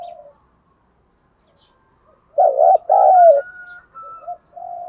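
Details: Spotted dove in 'thúc đấu đồng pha' cooing style, used to stir up and lure wild doves: one low, mellow two-part coo, a short wavering note then a longer falling one, with faint softer calls and a thin whistle after.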